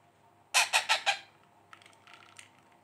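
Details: Hand-fed ring-necked parakeet chick, seven days after hatching, begging: four loud, harsh, rasping notes in quick succession, then soft faint chatter.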